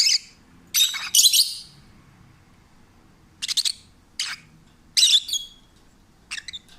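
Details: Rescued pet peach-faced lovebird singing in a calm, happy mood: a rapid triple chirp burst, then scattered single high buzzy chirps after a pause, over a faint low room hum.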